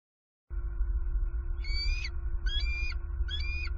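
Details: Bald eagles at a Southwest Florida nest on 23 November 2020, as the male brings in an opossum. Three bursts of thin, high, whistled chittering notes rise over a constant electrical hum.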